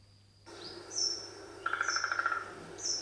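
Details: Eurasian three-toed woodpecker, a very rare woodpecker, drums a short, even roll of about ten knocks in under a second, alongside thin, high chirps from another bird and a faint steady hum.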